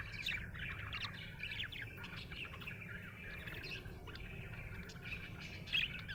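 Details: Happy budgerigar giving quiet, rapid twittering chirps and slurred warbling notes, fairly soft against a noticeable low background hum.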